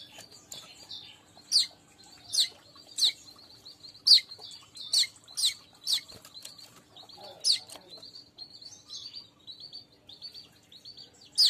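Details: Weaver song used as a lure for weavers kept as a group: soft high chatter under loud, sharp chips repeated irregularly about every half second to second, with a brief pause near the end.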